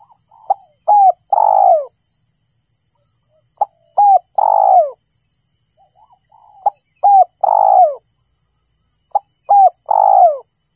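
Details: Spotted dove calling, used as a lure for trapping birds: a phrase of two short notes followed by a longer, falling coo, repeated about every three seconds against a faint steady high hum.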